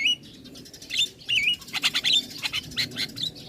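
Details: Young male Javan myna singing high thin wavering whistles followed by a fast series of sharp chattering notes.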